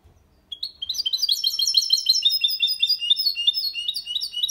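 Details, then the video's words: After a brief quiet start, a goldfinch × canary hybrid launches into an error-free Málaga-copy song for stimulating hens and teaching young birds: quick, continuous high twittering chirps repeated nearly three times a second. "Mixto de Jilguero Cantando Limpio sin errores (copia malaga) Hybrid de Chardonneret chantant propre"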